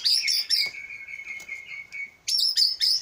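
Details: Caged Aceh Leuser white-rumped shama from an Indonesian breeding farm in Aceh, valued for its contest song: bright high whistled bursts, then a long, steady, flat whistle held for over a second, before more loud ringing phrases.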